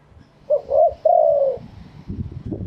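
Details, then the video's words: Spotted dove of wild stock from Thailand in fresh crowing song: a quick short coo, a wavering coo and a long falling coo, followed by low thumping noise. "เสียงนกเขาใหญ่ ขันสด คารมป่าแท้"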